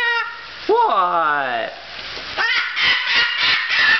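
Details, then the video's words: Umbrella cockatoo, excited and happy on a kitchen floor, gives one loud squawk that sweeps down in pitch over about a second, followed by a person talking and shuffling sounds indoors. "umbrella cockatoo going mad in kitchen floor. but a happy bird"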